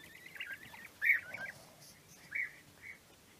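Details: A bird singing: short warbled, chattering phrases around a steady mid-high pitch, the loudest burst near one second, then two briefer warbles after a pause, over a quiet background.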